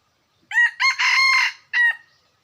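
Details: Crow of a wild red junglefowl: two short rising notes, a long level harsh syllable, a pause, and a brief closing note, the whole phrase about one and a half seconds, no other sounds.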